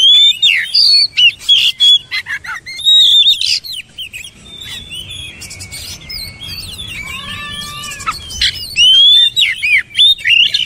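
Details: Oriental magpie-robin pouring out loud bursts of whistled, slurred and chattering notes, with a quieter stretch midway that holds a short series of evenly spaced lower whistles before the loud phrases return.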